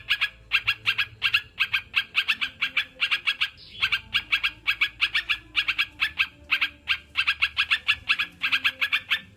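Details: Sooty-headed bulbul song used to coax caged birds into singing: long, busy stream of sharp, ringing note clusters repeated almost without pause, faint low hum underneath.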